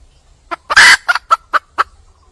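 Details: Wild junglefowl hen calling to attract a male: a loud, harsh squawk surrounded by a few spaced, clipped clucks, five notes in all over two seconds.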